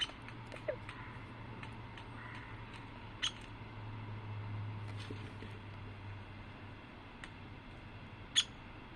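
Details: A downy woodpecker, a Vermont backyard bird, gives a few tiny, sharp, high, isolated pik notes several seconds apart, with faint pecking over a steady low room hum.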